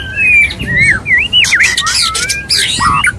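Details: Male white-rumped shama wooing a female: looping, wavering whistles that swoop up and down, broken by sharp clicking bursts and a short harsh chatter near the end.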